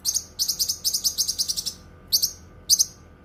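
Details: Cucak kinoi singing, a recording meant for song tutoring and therapy: a rapid run of about a dozen sharp, buzzy chirps, then a pause, then two separate double chirps.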